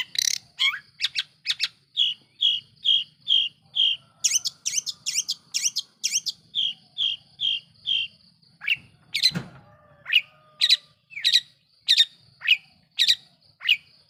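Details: Long-tailed shrike provocation song meant to make other shrikes angry: a steady train of short, evenly spaced buzzy chirps about every half second, then sharper downward-slurred notes after a brief thump.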